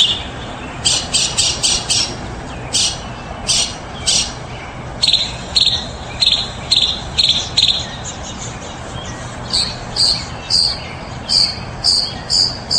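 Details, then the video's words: Mockingbird singing: bright, high buzzy notes delivered in quick bursts of four or five, each burst type repeated before switching, with steady faint background hiss. "Best Mockingbird"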